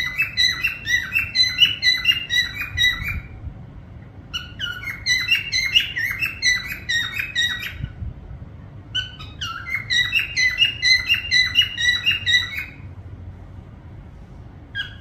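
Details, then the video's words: Three long bouts of rapid, repeated whistled notes from a parrot, each bout lasting about three seconds and separated by short silences, the notes even and bright over a low indoor hum. "parrot sound whistling"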